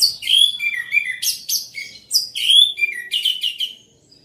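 An orange-headed thrush sings loudly, pouring out rapid, varied phrases of high whistles, buzzy sweeps and chattering notes with barely a pause.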